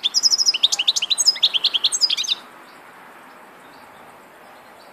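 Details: A European goldfinch sings a quick burst of high, jingling chirps and buzzy flicks lasting a little over two seconds, followed by near silence with faint background twitters.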